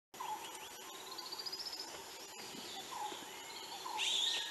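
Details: White-rumped shama (Copsychus malabaricus) singing at Vansda National Park, Gujarat, India, April 2018: a quick run of thin climbing notes, low fluty whistles and a bright twittering burst at the end, over steady hiss.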